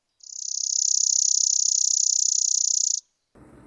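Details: Chipping Sparrow, arriving in huge numbers in spring in southeast Saskatchewan/southwest Manitoba towns and staying all summer along back alley paths, sings a dry, even, high trill of rapid chips held nearly three seconds, then low background noise.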